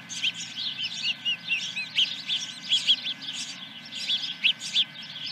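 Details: Osprey at the nest, 10 July 2021, morning, near the first fish delivery: a string of high, slurred whistled chirps at an uneven pace, with steady electrical hum beneath.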